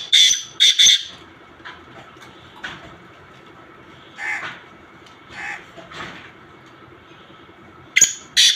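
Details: Black francolin mixed calls: two loud harsh, rasping notes open the passage, followed by softer scratchy notes spaced over several seconds, then two more loud grating bursts at the end.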